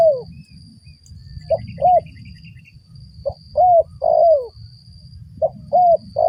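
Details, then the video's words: Luring call of a spotted dove, used to trap wild doves. Soft cooing phrases come in groups of short hooked notes, each ending in a drawn-out falling coo. A quiet high chirping and low rumble sit behind. "mikat burung tekukur"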